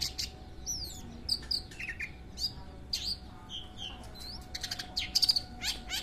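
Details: Long-tailed shrike kept by songbird hobbyists: a varied, fast medley of high whistled slurs, sharp chirps and short trills, pitch jumping up and down, with a brief burst of rapid clicking notes near the end over a steady faint hum.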